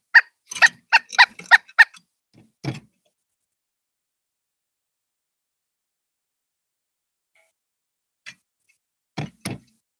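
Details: At a bird feeder, a pileated woodpecker gives a quick series of about six harsh, loud calls in two seconds, as if warning of its arrival; then a dull thump and later two knocks. Pileated Woodpecker.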